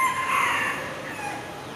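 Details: Wild red junglefowl perched high in a tree in Singapore at 8:39 in the morning, 21 October 2023: a single drawn-out, strained crow that fades over about a second, against steady background noise.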